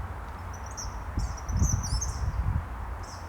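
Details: Eastern Kingbird recorded in July in Massachusetts (Westwood or Hanover) giving high, thin, buzzy sputtering notes in a quick chattering run, then a short burst again, over a steady low wind rumble.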